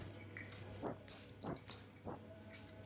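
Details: Orange-headed thrush, called kemade or cigen, singing loudly: bright, high whistled phrases, each a sharp note falling into a slightly lower one, repeated about every half second with faint soft taps underneath.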